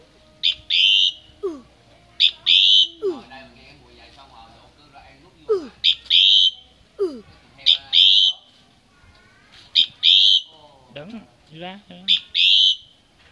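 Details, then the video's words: Common myna singing during Tết 2018 at a family home, giving loud harsh rasping bursts in pairs roughly every one to two seconds, mixed with quick downward-sliding whistled notes, with faint voices in the background. "Tiếng hót chim Cưỡng"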